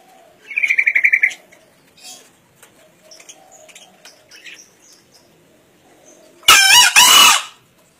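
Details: Wild-caught green junglefowl, 1.5 years old, from Kediri, East Java, entered in a crowing contest. A rapid pulsed trill comes first, and near the end a loud, harsh, broadband burst cuts in with a short gap.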